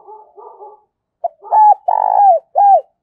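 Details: Lure spotted dove calling in 'giọng thổ' style: soft murmuring notes first, a pause, then one full phrase of a clipped note and three loud coos, the middle one long and throbbing, the last falling away.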